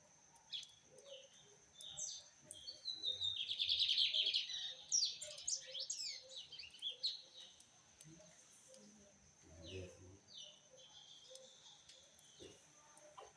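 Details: Song of a rusty-collared seedeater: a long, dense phrase of fast high trills and slurred whistles peaking in the middle, then thinning to separate chirps, with soft low tapping behind.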